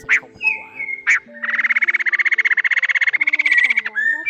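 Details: Male and female laughingthrush calling the flock to lure birds into traps. Two sharp, loud notes and a slurred whistle come first, then a long, harsh, pulsing rattle. Faint sustained musical tones sound underneath.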